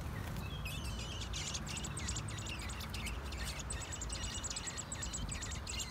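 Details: Newly hatched nestlings in a clay nest box, possibly sparrows, being fed by their mother give a rapid, insistent stream of thin, high chirps, several each second, over steady low rumbling background noise.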